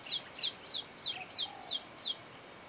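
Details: Pacific swallow (Hirundo tahitica) giving seven quick, high, down-slurred chirps at about three per second over faint hiss. It was preening on a tall, open perch and was chased off by another swallow, possibly a juvenile begging for food.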